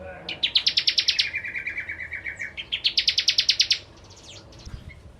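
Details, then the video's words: Singing bar-winged prinia, a lure for ciblek kristal: a burst of fast ringing chips, a lower buzzy trill, then another rapid chip series before quiet. "Burung Prenjak Jawa Gacor Pancingan Ciblek Kristal"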